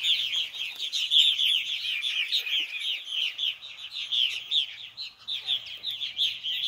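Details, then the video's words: Nestling purple martins clamour while both parents bring food at bedtime, a busy, uninterrupted stream of high chirping and chattering calls rising and falling in loudness. "POPPA MARTINS & MOMMA MARTINS FEEDING BABY MARTINS BEFORE BEDTIME!"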